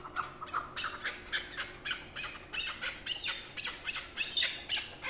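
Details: Chukar partridge calling in a rapid series of harsh, clucking notes, each burst bright and broad, repeated several times per second with a slightly uneven rhythm.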